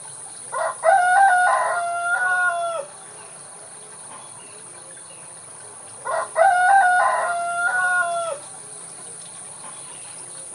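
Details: Rooster crowing on a countryside morning: two long, loud, harmonic crows about five seconds apart, each a short stuttering start followed by a sustained tone that drops at the end, over a faint steady hiss.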